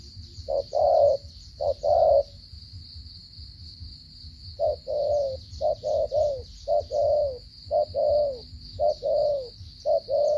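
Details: Spotted dove from Cà Mau, Vietnam, in a stuttering coo, with paired short-then-long low coos, a pause of over two seconds, then a faster run of clipped, broken coos, backed by a constant thin high whine.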